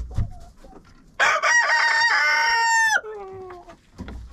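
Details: Chickens inside a coop, recorded by a GoPro camera placed in the coop: a rooster gives one loud harmonic crow. It is sustained for nearly two seconds and drops sharply at the end into a fading tail. Soft clucks and scratching are heard around it.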